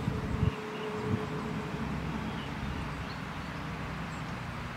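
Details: Steady low rumble of traffic and wind in an outdoor rural setting, with a faint thin tone early on and no clear animal calls.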